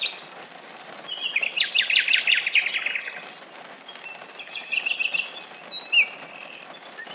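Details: Nightingales singing in a forest during summer rain: varied high phrases, a fast rattling burst, then scattered clear whistles and chirps, over a soft steady hiss of rain.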